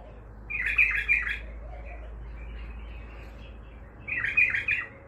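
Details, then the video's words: Bulbul in Baghdadi-style song, an untrained bird: two short bubbling, warbled phrases about three and a half seconds apart, with softer twittering notes between them over a low background hum. "بلبل طور بغدادي خام"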